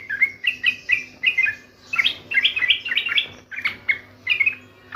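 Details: Sooty-headed bulbul in lively song, pouring out chattering, liquid whistled notes in tight clusters, some phrases rising sharply, delivered almost continuously with brief pauses, over a quiet low background hum.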